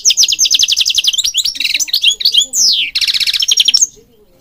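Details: European goldfinch singing, used for bird training: a rapid, even series of bright chipping notes, then varied twitters, a drawn-out buzzy downslur and another quick trilling run before it falls silent.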